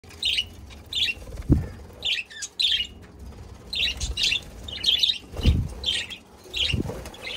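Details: Budgerigars recorded on 17 February 2024, chirping in bursts of short, bright, warbling notes that come in clusters, with a few low thumps and knocks underneath.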